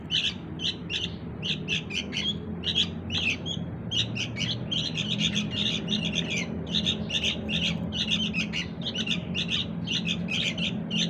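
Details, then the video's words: Sooty-headed bulbul chick calls used to draw in the parent birds, a steady stream of short high chirps in quick bursts, overlapping and busy, with a soft low rumble behind. "suara anak burung kutilang || sangat gacor buat pikat indukan nya"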